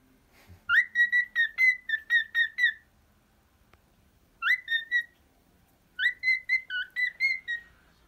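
A cockatiel whistles in quick bursts of clear, mid-pitched notes, about eight in a row, then two, then seven more, with brief pauses between runs.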